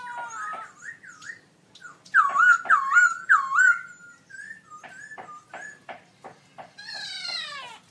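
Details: Black-throated laughingthrush in a cage at a birdsong contest, October 2016, giving loud looping whistles repeated three times, interspersed with sharp clicks and softer notes, ending in a rising buzzy phrase.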